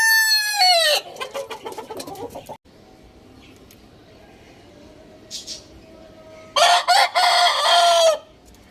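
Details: Rooster crow tail dropping in pitch at the start, then soft background noise and faint calls before a second loud, even crow with a flat held note ending in a fall.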